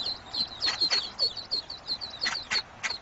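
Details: Duck crying for its ducklings as cops help: many high thin peeping notes, about three per second, repeated steadily over broad background noise with occasional lower harsh sounds.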